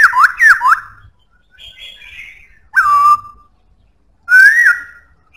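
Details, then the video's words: A black-throated laughingthrush sings loudly with a strong voice. A rapid pair of ringing slurred whistles leads into a quiet, buzzy warble. Next comes a bright whistle falling to a held note, then a rounded, upswept whistle. "Khướu bạc má hót cực hay,giọng khỏe"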